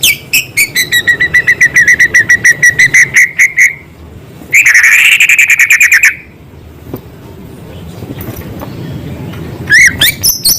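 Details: White-rumped shama in lively song with small-bird filler material: a long string of evenly repeated sharp chips for four seconds, a dense buzzy trill, then near silence before a few closing downslurred notes.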